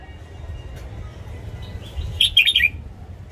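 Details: Red-whiskered bulbul morning song for training cage birds: after nearly two seconds of quiet hum, a single quick phrase of five twittering notes, rapid and slightly descending, somewhat softer than the background.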